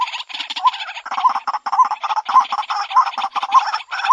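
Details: Dense, raucous White-breasted waterhen (Amaurornis phoenicurus) lure call: rhythmic low upturned hoots about every half second beneath loud, rasping, gobbling chatter throughout.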